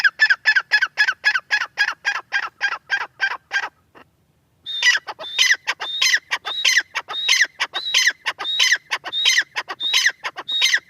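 A francolin gives harsh, grating notes in a rapid run of about three per second. After a short pause comes a louder series of strident, ringing calls.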